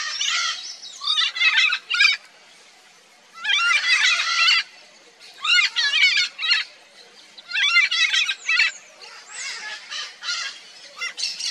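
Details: Nesting pair of red-and-green macaws giving loud, harsh, raucous squawks in bursts of about a second, separated by short pauses, with overlapping grating calls from both birds.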